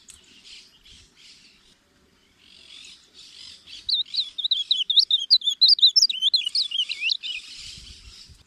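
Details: Ultramarine grosbeak (reina mora) song, used for teaching and calling birds: after four seconds of soft, hissy bursts, a loud, fast, warbled run of high, twisting notes that slide up and down, ending abruptly.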